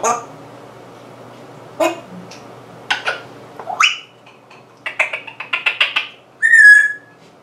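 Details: An African grey parrot mimics sounds: a run of clicks, squawky syllables and quick chattering notes, ending on a clear, rising whistle.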